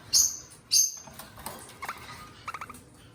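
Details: Pet eastern rosellas, two kept together, giving two loud, shrill, falling chirps in quick succession, then softer, lower, clipped chattering notes in short bursts.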